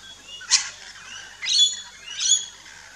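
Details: Rainbow lorikeet at an Australian backyard feeding station, three separate sharp screechy chirps about a second apart over a quiet background of softer twittering.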